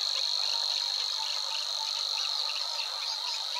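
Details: Savi's Warbler singing in marshland near the Weerribben at Wetering West, Overijssel, Netherlands, in early May 2022: a continuous, even, high insect-like reeling trill held throughout, with faint other bird notes beneath.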